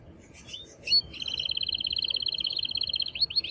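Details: Excited male canary song aimed at getting a female to mate: a few soft chirps and a sharp note, then a long, steady, fast beaded trill ending in quick upslurred notes.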